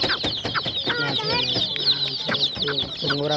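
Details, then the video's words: Baby hen chicks, colourful and numerous, keep up a thin, high peeping chorus while a man talks over them and a few clicks sound. "Hen Chicks Colour full Baby Of hen Chirping Sounds"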